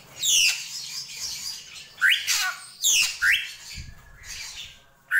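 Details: Drongo, called srigunting krantil, mixing harsh scratchy downslurred notes with short sharply rising whistles, delivered in bursts about a second apart over faint low background noise.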